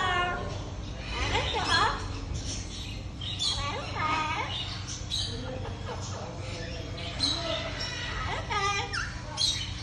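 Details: Amazon parrot talking: a continuous stream of speech-like babble, harmonic syllables and quick rising whistles, with a persistent low hum underneath.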